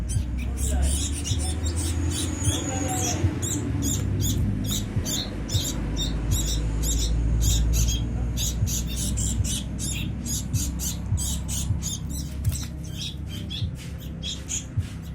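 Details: Young sooty-headed bulbuls begging during feeding: rapid, scratchy broadband squawks repeated several times a second throughout, with a constant low droning hum beneath.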